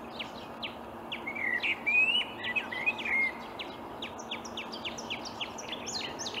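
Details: Wild Marsh warbler singing in reeds at dawn in May 2020, Upplands Väsby, Sweden: loud, twisting warbled whistles, then a rapid series of sharp, high, repeated chipping notes, with low background hiss.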